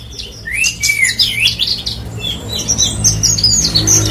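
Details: Song of a Horsfield's bush lark, subspecies parva, West Nusa Tenggara, Indonesia. Rising whistled slurs give way to fast, thin, buzzy chirps repeated about two or three times a second, with a low rumble underneath.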